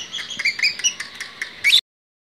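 Long-tailed Shrike giving a rapid, varied run of high squeaky chirps and short whistles over under two seconds, ending in a louder sharp note.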